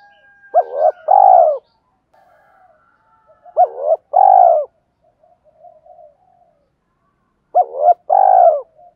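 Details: Decoy spotted dove giving its gọi and thúc calls to lure wild birds: three loud two-part coos, each a short note then a longer fuller one, repeated about every three and a half seconds, with soft cooing between.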